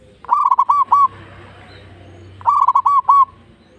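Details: Zebra dove of local stock, a lure recording to trigger other doves' singing: two loud phrases of four to five bubbling, rounded coos each, separated by about a second and a half of quiet.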